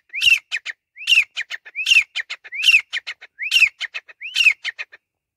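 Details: Calls of a grey francolin, a ringing arched note then three or four short sharp follow-up notes, the phrase repeated six times at a steady pace of under a second apart, clean and loud with a quiet background.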